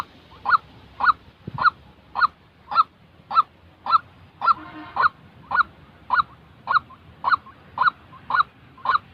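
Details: White-breasted waterhen calling, recorded for training trapping decoys: rasping, honking notes repeated steadily at just under two per second. A brief softer hum is heard midway.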